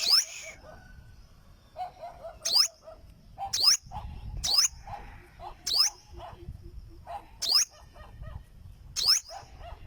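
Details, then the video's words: Olive-backed sunbird singing: sharp, very high downward-sweeping notes repeated roughly every second, separated by softer low twittering chips and a faint rumble beneath. "Olive Backed Sunbird Singing - Suara Burung Madu Sriganti"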